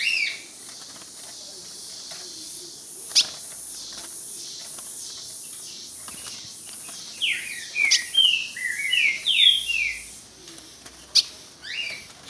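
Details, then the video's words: Ultramarine grosbeak singing at a rival: after a stretch of faint chirps and clicks, a burst of rapid whistled notes dropping in steps, with other birds twittering softly. "Azulão dando show na cara do outro"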